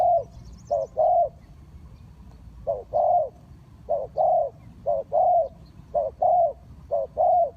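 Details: Paired coos from a decoy spotted dove for trapping wild doves, a quick note then a longer rolling one, repeated six times with one longer pause early on.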